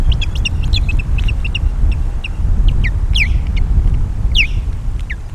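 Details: Nesting osprey at Loch of the Lowes on a May 2022 morning, defending the nest against intruders with guard calls: rapid, piercing downward-sweeping whistles, some doubled, over heavy wind roar.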